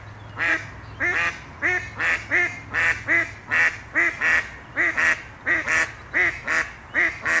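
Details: Khaki Campbell duck giving loud, harsh quacks in a steady series, a bit more than one per second, each nasal and evenly spaced, with a low hum in the background.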